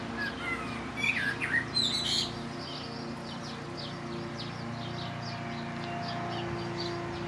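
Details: Blackbird song from a rooftop in Lower Hutt, New Zealand, on a breezy late-spring day: a few loud warbled whistles open, then softer repeated twittering notes fade under the persistent drone of a lawnmower.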